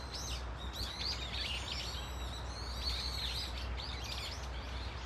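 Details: Flock of Brown-eared Bulbuls in Dunsan Grand Park: a drawn-out high whistle, then bursts of squeaky, wavering chirps from several birds over a constant low rumble.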